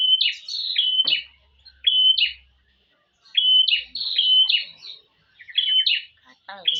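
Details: Female prinia calling to a male: bright, clipped chirps in quick bursts of two to four, each a short, high, slightly buzzy note, with brief pauses between groups and a few faint low thuds.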